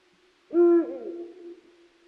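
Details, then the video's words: Single deep hoot from a Eurasian eagle-owl, a short level booming note followed by a softer dropping glide that trails away into quiet. "Puchacz - głos"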